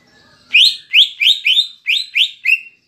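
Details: Caged Greater Green Leafbird (cucak ijo) giving kapas tembak-style fill to stir emotion in other birds: seven loud upward-swept whistled notes, each about a third of a second apart, on a clean background.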